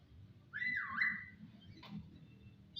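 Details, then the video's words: Starling giving one loud, full whistle that rises, dips and levels off, followed by a brief scratchy note and the start of a high whistle. "Siulan menawan Burung JALAK"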